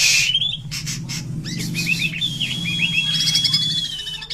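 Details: White-rumped shama (murai batu) in full 'gacor' song packed with 'isian' fills: sweet rising whistles, a long steady whistled note and quick chattering phrases, over steady low background music.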